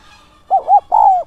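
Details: Decoy spotted dove calling in the 'son' voice style, used to lure wild doves: one low cooing phrase of two short rounded notes followed by a longer, slightly falling coo, over a faint high tone.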